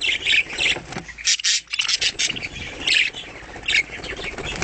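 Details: Captive-bred pet budgerigars chatter in a dense stream of high, scratchy chirps and warbles, several birds overlapping with short bursts and brief pauses.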